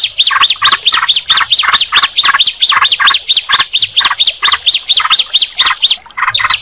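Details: Bar-winged prinia and yellow-vented bulbul brought together in song: a steady, rhythmic series of sharp, high, downslurred notes, about two per second. Each note is paired with a lower, bubbly chirp.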